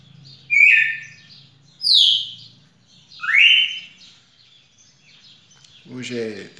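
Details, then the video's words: Red-cowled cardinal recorded on 18 June 2021, giving three loud, clear whistled phrases about a second apart, each sliding downward, followed by a man speaking at the end. "Galo-de-campina fantástico"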